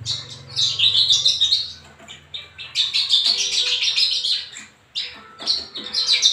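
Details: A captive Javan bush lark gives bursts of high, rapid twittering and chirps, pausing briefly between phrases, with a faint low hum at the start.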